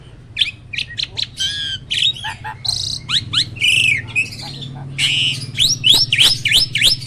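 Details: Contest-winning kept starling showing off its full repertoire of loud bursts: sharp chips, buzzy rattles and slurred whistles in quick, irregular succession over a faint low hum.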